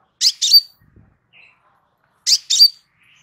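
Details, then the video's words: Crimson sunbird, relaxed song used to train birds: two paired, buzzy high chirps, the second of each pair ending in a thin rising note, about two seconds apart. "Suara SANTAI Kolibri Sepah Raja"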